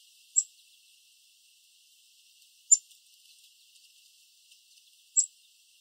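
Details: Black-capped chickadee hiding in a bush in Southern Ontario, Canada, giving a very quiet chirping call: single short high chips spaced about two seconds apart, three in all, over a faint hiss.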